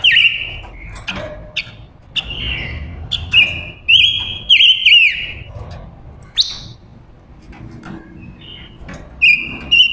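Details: Female silver-eared mesia used as a lure for wild males, giving bright whistled phrases with quick downward-bending notes, spaced irregularly through the clip, plus a few faint clicks and softer calls between them.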